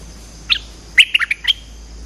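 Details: Bulbul call used as a lure for trapping birds: a single high chirp, a brief pause, then a fast burst of four or five bright, clipped chirps ending on a higher note.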